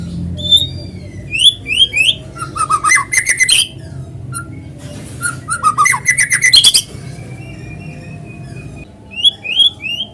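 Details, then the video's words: White-rumped shama singing naturally, used as a lure so other shamas sing along. Rising whistled slurs lead into two long bursts of rapid rattling chatter mixed with whistles, then a quieter spell and more whistles at the end. "PANCINGAN BURUNG MURAI GACOR SUARA ALAMI BIKIN MURAI BATU IKUT BUNYI"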